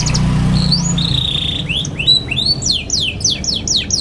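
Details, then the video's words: Young canary chirping as a tutor for juvenile canaries: a steady thin whistle, then a series of rising swept notes that speed up into quick descending chirps, over a low hum. "KENARI PAUD NGERIWIK GACOR CUIT CUIT BIKIN EMOSI |22| COCOK BUAT PANCINGAN KENARI PAUD BELAJAR BUNYI"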